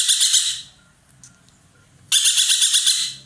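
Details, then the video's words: Loud harsh chattering from an ekek keling roller, a hobby bird kept in Indonesia: a rasping pulsed burst fades out, then after a pause a second rattling burst begins. "burung ekek Keling gacor nembak"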